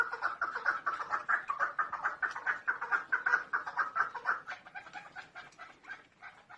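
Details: Female chukar partridge giving rapid, throaty clucking notes, about two per second, in a steady run that fades toward the end.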